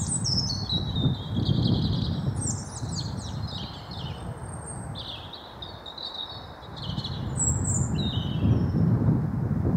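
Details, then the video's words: Blue tit, wild, in a UK garden in the Wyre Forest: repeated high chirps and short falling phrases spread over ten seconds, set against a continuous low rumble. "Bird Song and calls Bluetit"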